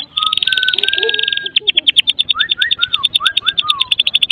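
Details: Medan white-rumped shama giving crackling kretekan song packed with mimicry, meant to prompt other shamas to sing: a steady high rattle with a long low whistle, then quick rising and falling slurred notes.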